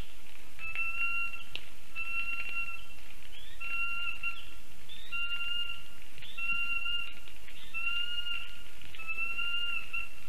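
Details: Lesser spotted eagle family calling near a black stork nest in Ogre municipality, Latvia, 19 August 2024, 1:19 pm, on a nest camera. Clear, level whistled notes repeat about every second and a half over constant hiss.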